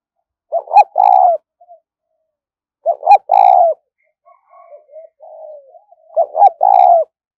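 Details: Cooing spotted dove used as a trapping lure, 'thúc' style: three loud phrases, each two quick clipped notes then a long mellow coo, with softer wavering murmurs between the second and third.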